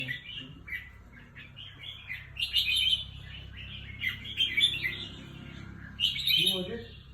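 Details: Caged red-whiskered bulbul kept as a competition songbird in Thailand, singing: short bright warbled phrases in bursts every second or two, louder mid-clip, with a man speaking quietly nearby and a low hum.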